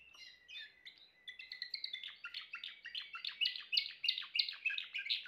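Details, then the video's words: Soft scattered notes from a Timbrado canary build into a loud, even series of rhythmic chip-like notes, about three per second, growing stronger toward the end. "chant canari timbrado l meilleur chant canari l اقوى تغريد كناري"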